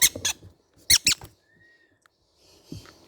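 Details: Baby green-cheeked conures give two quick pairs of rasping squawks, then fall quiet apart from a faint thin whistle-like tone and soft rustling.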